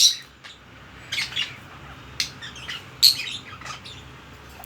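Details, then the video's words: Pet budgerigar chattering indoors: a string of quick, scratchy chirps and clicks of varied pitch, with a bright squeak near the end. "বাজরিগার পাখির ডাক"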